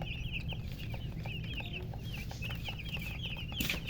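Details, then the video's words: Chirping from coloured chickens, a near-continuous stream of thin, high, down-slurred peeps with brief gaps. A low background hum runs beneath, with a short rustle near the end. "silly chicken chirping sounds with murgi hen color chicken"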